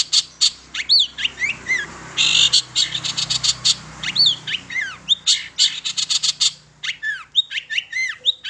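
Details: Long-tailed shrike song used as a lure to make other shrikes sing: dense run of sharp chattering notes with high whistled, bending phrases and brief harsh bursts, loud and near-continuous over eight seconds.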